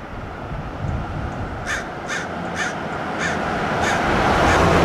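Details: American crows attacking a Red-tailed Hawk on a roadside perch, Del Monte Forest, California: six rasping caws spaced roughly half a second apart, starting after a quiet lead-in, while traffic noise steadily builds.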